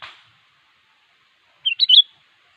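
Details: Single brief sooty-headed bulbul phrase, sung vigorously to call a rival: three quick, bubbly whistled notes rising to a bright slurred finish after a soft rustle.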